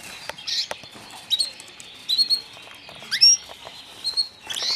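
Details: White foreign canary chicks, newly arrived, utter brief high tweets and upslurred chirps spaced irregularly, roughly one burst per second, over faint background rustle.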